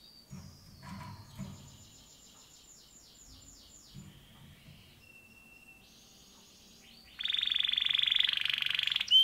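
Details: Male pet canary song with varied phrases: quiet chattering notes and a short series of rolling sweeps, a thin steady whistle, then a loud, dense buzzy trill that closes the passage.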